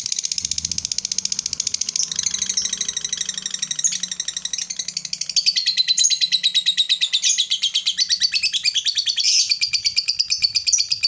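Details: Long, lively ngekek trill from a lovebird, used to make a lazy, silent lovebird join in: sustained, rapid, high, buzzy chattering that shifts slightly in tone midway and runs on for over ten seconds, with a faint low background hum.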